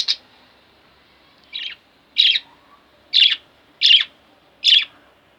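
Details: Pet budgerigars, a pair kept at home, give single sharp chirps spaced about a second apart, each short, bright and slightly squawky, against a quiet indoor background.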